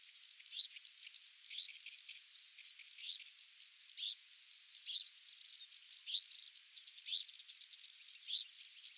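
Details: Migrant Australasian pipit recorded at Agarizaki on Yonaguni Island, Japan, where it passes in spring and autumn: quiet, sharp high chirps at irregular one-second intervals, separated by faint thin chatter over a constant high background hiss.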